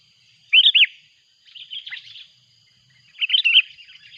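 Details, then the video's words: Noisy calling from a loud-voiced Sooty-headed bulbul lure bird as a rival approaches. A pair of strong arched chirps opens, then a softer chattering phrase, then a louder bubbly run of notes, set against a faint constant whine. "Suara buRung kutilang ribut memanggil!!!! lawan pun datang."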